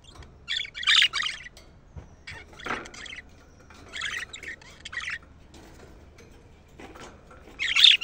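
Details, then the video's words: Budgerigar calls meant to excite the birds and stimulate hens to breed: a few loud, harsh, scratchy squawks in separate bursts with quiet gaps between. "أجمل صوت لتهييج طيور البادجي ناار وتحفيز الإناث البادجي على التزاوج"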